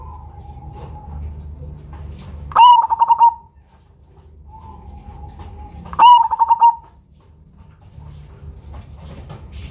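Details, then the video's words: Cemani zebra dove with a big voice and unique rhythm, suited as a lure: two phrases about three and a half seconds apart, each a soft drawn note leading into a burst of about six loud pulsed beats. "PERKUTUT CEMANI GACOR SUARA BESAR IRAMA UNIK COCOK BUAT PANCINGAN"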